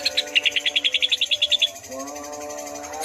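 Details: Greater green leafbirds, twelve chatty and vigorously singing birds, a species able to mimic other birds: a quick run of about fourteen bright chirps in under two seconds, then only steady low humming tones.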